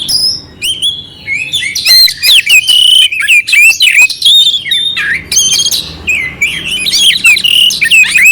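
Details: Kacer (oriental magpie-robin) giving a clear song with coarse fill-in notes to raise another bird's fighting mood; rapid stream of sharp clicks, buzzy squawks and short looping whistles, about three elements per second.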